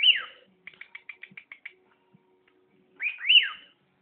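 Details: A pet bird whistles a loud high note that drops steeply, then gives a rapid run of eight short ticking chirps, and finishes with two loud arching up-and-down whistles.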